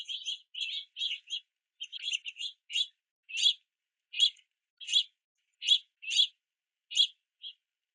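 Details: Young house finches waiting below a feeder in rain, begging their parents for food: rapid overlapping chirps at first, then slowing to single harsh, buzzy notes spaced under a second apart.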